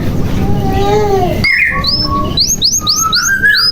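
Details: Canary song used to prompt quiet or young canaries to start singing; after a murky, low-noise opening, clear whistled notes and quick rising chirps come in, ending in a short run of repeated upswept notes.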